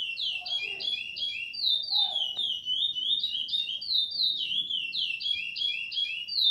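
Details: Curió, or chestnut-bellied seed finch, delivering an Ana Dias style song: loud, clear whistles chained into fast rolling phrases, each note swooping down then up, with a soft low rumble behind.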